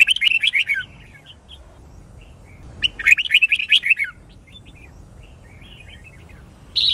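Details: A Red-whiskered bulbul sings competition-style training song: two quick, bright, warbled phrases about a second long, three seconds apart, then starts a third. The background is otherwise quiet.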